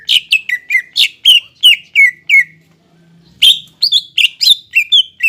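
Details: Energetic caged greater green leafbird song meant to trigger a reluctant bird to sing: quick series of bright, downward-sliding whistles, a brief gap, then another fast run of clear notes.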